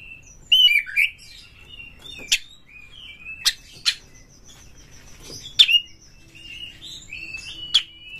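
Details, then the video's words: Oriental magpie-robin singing quickly to provoke rival magpie-robins: sparse, sharp whistled notes and short slurred phrases scattered over a quiet background, with a faint steady high tone between them. "pancing KACER sampai GACOR NGEPLONG BONGKAR ISIAN BUKA EKOR suara cepat Naikan EMOSI KACER Anda"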